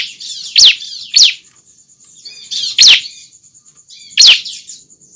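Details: Juvenile bar-winged prinia calling, used as a lure to draw other prinias close: sharp, bright chirps that sweep downward, given in an uneven series of four, over a thin steady high whine.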